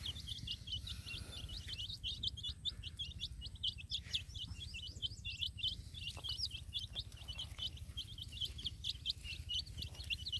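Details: Many young chicks peeping in a field with a hen: continuous high, rapid, shrill chirps layered together over a low, steady background rumble.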